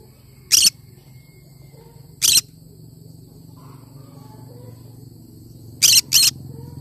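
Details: Cinnamon green-cheeked conure screeching in short, rough bursts: two single calls, then a quick double call near the end, over a constant low droning hum.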